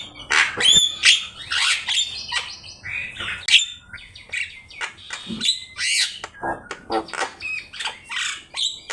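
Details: Javan myna master song for teaching caged birds: mix of bright whistles, clicks and harsh chattering notes in irregular rapid sequences.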